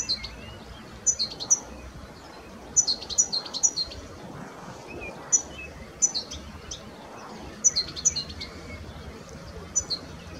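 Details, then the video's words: Cetti's warbler, a very common bird at A'Lbufera, recorded hand held: sharp, high, clipped notes in loud clusters of two to four, bursting out repeatedly over about ten seconds above a low, quiet background hiss. "Cetti's Warbler"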